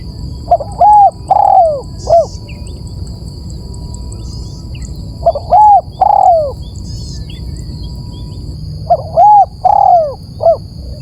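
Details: Repeated spotted dove cooing used as a bird lure: three phrases about four seconds apart, each with quick stuttering notes, a long sliding downward coo and a short final note. Light chirps from other birds and a constant high whine are audible.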